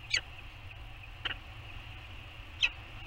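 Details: A peregrine falcon at its nest on Anacapa Island, Channel Islands, California, on the morning of 15 September 2020, during a pair bonding session with beaking, gives three brief, high, scratchy chips about a second apart, over hiss and low hum.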